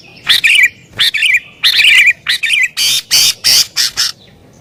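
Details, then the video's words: Sooty-headed bulbul song, emotional and pressing against an opponent, meant to attract wild bulbuls; loud, gurgling, wavering phrases followed by harsher, broad, scratchy notes in steady succession. "Burung Kutilang Gacor Isian Cocok Buat Pikat Burung Kutilang Liar"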